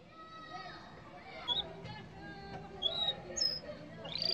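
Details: A yellow Belgian canary sings short, bright, high whistled notes and quick rising chirps, with a faint steady tone and a little background hum underneath.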